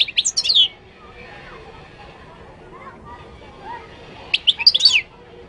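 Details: Moroccan goldfinch producing two short bursts of high twittering song separated by a long quiet gap with faint background sounds.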